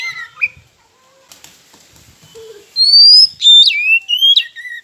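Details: Kacer, the oriental magpie-robin, in a rival-provoking lure song: a soft whirr like wing flapping and faint notes, followed by a loud string of piercing whistles that leap and slide between high and mid pitches.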